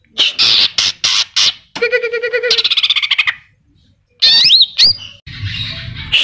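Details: Greater green leafbird in full song with imitations of Kapas Tembak and Cililin: harsh chattering bursts, a rapid rattling trill over a low buzzy tone, then after a pause sweeping looped whistles and a final noisy burst.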